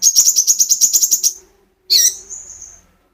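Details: Captive olive-backed sunbird (kolibri ninja) singing persistently, kept as a lure to get other birds singing: a fast, regular run of thin high chirps lasting over a second, a pause, then one sharp rising note trailing into a thin whistle.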